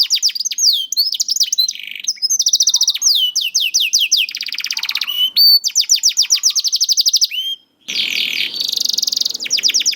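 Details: Song of a young canary, played to encourage silent or sluggish canaries to sing: fast varied tours of clipped descending whistles and rolling trills, one short pause, then a harsh buzzy passage among the notes.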